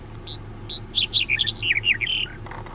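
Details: A male black-headed bunting sings a brief phrase: two sharp introductory notes, then a rapid jangling run of twittering notes that ends in a buzzy trill, over a low traffic hum.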